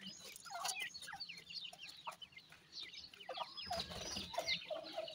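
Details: Young grey francolins, teetar chicks, chattering together in a steady stream of short, downslurred high chirps and squeaky notes, some rising, the group calling continuously with soft background rustle.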